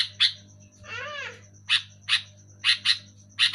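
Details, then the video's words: Sooty-headed bulbul giving loud, clear calls: sharp chirps in quick pairs around one wavering, harmonic nasal note, over a steady low hum. "Suara burung kutilang gacor keras jelas"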